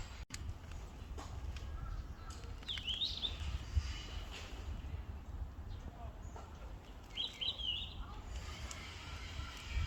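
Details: Two brief, high, twittering call bursts of a Yellow-rumped flycatcher in Gusan-dong, about four seconds apart, the second a rapid cluster of slurred chirps, with a sharp click near the start and a constant low rumble of ambient noise.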